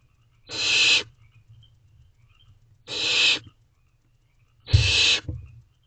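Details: Barn owlets inside a nest box at night on 5/8/23, sharing a rabbit by turns, give three rasping hiss-screeches of roughly half a second, repeated about every two seconds, with a soft low thud under the last.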